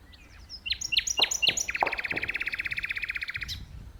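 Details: Nightingale in a tree pouring out powerful song: a few sharp downslurred chips, then a rapid, even rattle of buzzy notes sustained for nearly two seconds before stopping.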